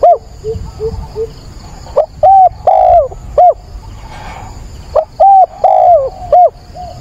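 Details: Decoy spotted dove calling at dawn on 22 October to lure and train wild doves; two loud four-note coo phrases three seconds apart, with softer distant cooing from another dove at the start.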